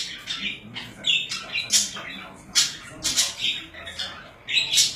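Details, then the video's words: Several pet budgies give bright, grating chirps and short screechy squawks in clustered bursts about every half second, with brief pauses between loud notes indoors. "Budgies / Parakeets / Wellensittiche"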